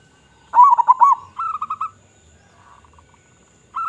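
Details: Local zebra dove with a big voice, its song used as a lure for zebra doves: a bubbling, rolling cooing phrase followed by a short run of staccato coos, then a quiet pause before the next phrase begins.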